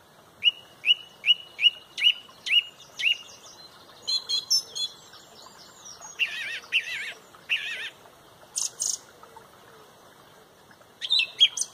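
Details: Song thrush leading a loud dawn chorus at sunrise in Pontrobert: a clear note near the middle of its range is repeated six times in quick succession, then varied chattering and warbled phrases follow, with a final burst of repeated high notes.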